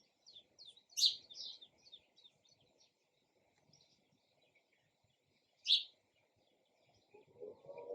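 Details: Sparrow giving a run of quick, faint high chirps, then two loud sharp chirps several seconds apart, with a low rumbling sound at the close.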